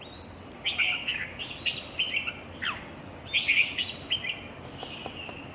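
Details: Red-whiskered bulbul competing in song: three clear phrases, each opening with a high rising-and-falling whistle followed by chattering, warbled notes, spaced about a second apart.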